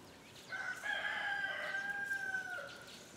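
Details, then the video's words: Peacock gives one long, loud, nasal wail lasting about two seconds, steady in pitch then dropping at the end; faint background hiss. "Peacock Sounds"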